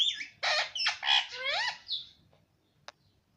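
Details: Indian ringneck parakeet mimicking Hindi speech such as "mummy" and "mitthu"; a dense two-second burst of harsh squawky syllables ending in a rising tonal sweep, then near quiet with one click.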